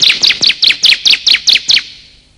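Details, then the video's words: Bar-winged prinia lure call of male and female birds: a single run of about ten sharp, bright chirps, evenly spaced and quickly repeated, then fading out. "pikat suara burung ciblek"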